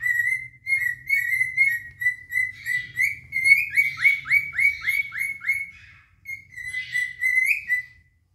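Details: Pair of adult cinnamon cockatiels singing and displaying to win a mate: steady whistled notes, then a quick run of about six downward-slurred whistles, a brief pause, and a final rising chirp, over a soft low indoor hum.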